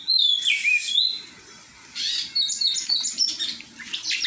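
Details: Oriental magpie-robin in song training: a loud downslurred whistle, a brief quiet gap, then a run of sharp chirps and whistled notes with harsh buzzy elements.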